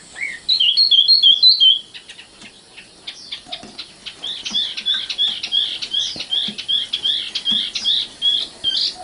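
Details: Young common nightingale in song: a short phrase of quick, bright paired chirps, a pause, then a long series of softer, scratchy high notes tumbling in an uneven rhythm.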